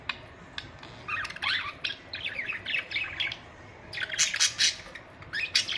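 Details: Pet budgerigars calling together: a busy run of short, bright chirps and squawky warbled notes, several overlapping and rising and falling in quick bursts, with a louder harsh flurry near the end.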